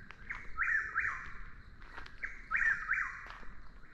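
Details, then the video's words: A Chuck-will's-widow, a species commonly misidentified as a Whip-poor-will, gives two clear whistled phrases, each with a sharp rising-then-falling middle note, spaced about two seconds apart over quiet background. "Sounds of Nature, Chuck-will's-widow | Commonly mis-identified as a Whip-poor-will | Bird Calls"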